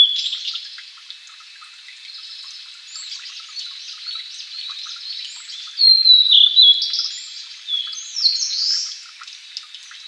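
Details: Blue-and-white flycatcher, one of Japan's three famed songbirds, singing; a busy stream of high twittering and whistled slurs, loudest in a sharp burst midway, with other faint chirps behind.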